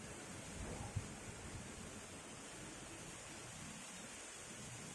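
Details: Steady low hiss and rumble with a single soft knock near the first second and no animal voice.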